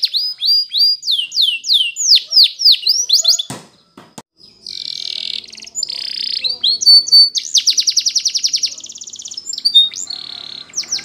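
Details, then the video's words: Morning song of a Spanish Timbrado canary, used as training song: quick descending whistled sweeps, a pause broken by sharp clicks, then a buzzy rolling stretch and a fast pulsed trill. "Canary TIMBRADO Singing In The morning"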